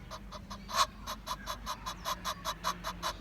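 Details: Egyptian goose calling with a rapid, evenly spaced series of harsh, raspy honking notes, about five per second, held at a steady pace throughout, one note standing out louder near the start.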